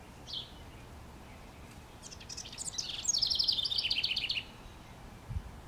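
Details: From a treetop in northwest Regina, Saskatchewan, Canada, on 25 May 2015, a house wren gives a thin lone note, then a few scratchy notes build into a fast, gurgling, descending trill. A low thump follows near the end.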